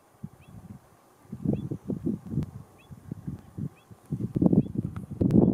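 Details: Andean flamingos in the Atacama Desert: quiet at first, then low grunting bursts of flock chatter that grow louder and denser toward the close. Sparse faint high chirps can be heard.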